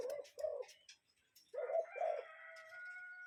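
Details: Cuckoo calling in nature, two pairs of low, hollow two-note calls, each pair with the second note slightly lower, followed by faint thin tonal whistles in the background.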